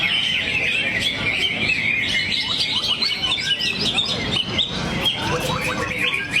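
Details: Greater green leafbird producing a rich run of repertoire material: rapid chatter, sharp chips and descending whistled slurs in quick series, with faint voices and a man briefly speaking at the end.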